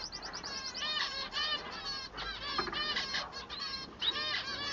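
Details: Male society finch in song, to be distinguished from the female: bursts of fast, arching buzzy notes repeated in clusters, separated by brief pauses, with scratchy chatter between phrases.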